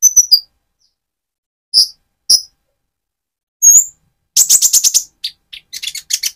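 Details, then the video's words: Spotted Van Hasselt's sunbird sings to provoke another bird: scattered thin high whistles and sharp notes, then a quick rattling burst of dry, buzzy chips followed by shorter high twitters. "Burung Konin trotol gacor untuk pancingan menaikan mental emosi kolibri ninja"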